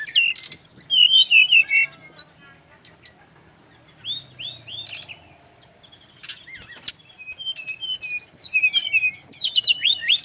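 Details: Brown-chested jungle flycatcher from Bali singing fast, jumbled strings of bright whistles, chirps and short trills, very high-pitched, delivered in bursts with a short silent gap and a crisp clean background.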